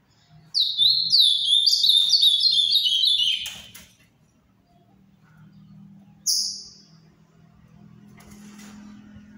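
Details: Azulão do Paraná (ultramarine grosbeak) pours out a three-second phrase of rapid, repeated falling whistles, ending abruptly, then one short high note a few seconds later against low background hum.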